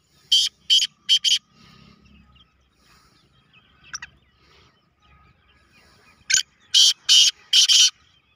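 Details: Black francolin (kala teetar) gives harsh, grating notes in a quick three-note burst, then after a pause another loud, scratchy series of three; Black francolin.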